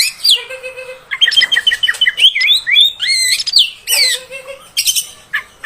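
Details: Female oriental magpie-robin call used to make males agitated: sharp downward whistles and low nasal notes alternating with a quick run of chattered notes and twisting whistled phrases.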